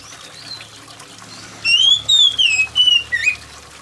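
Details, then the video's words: An oriental magpie-robin sings a rapid phrase of five shrill whistled notes. Long arching slurs are followed by shorter falling and rising notes. Rain patters and trickles softly in the background. "TERAPI KACER MALAS BUNYI || kacer mana yang gak ikut bunyi dengar kacer gacor + suara air hujan"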